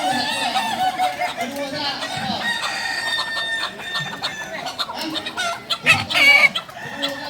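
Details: Kukuak Balenggek roosters from Solok training for crowing performance; several drawn-out, multi-syllable crows blend together and fade mid-clip, then sharp, high crow notes rise near the end against faint human chatter.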